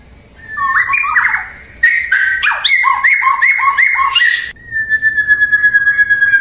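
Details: White-rumped shama (murai batu) song used to stir rival birds to reply: varied whistled phrases and rapid notes, ending in a long steady whistle.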